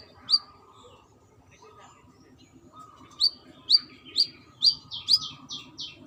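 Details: A single high chirp from a female brown-throated sunbird calling a male, then a pause and a rapid burst of shrill chirps that ends in buzzy, scratchy notes.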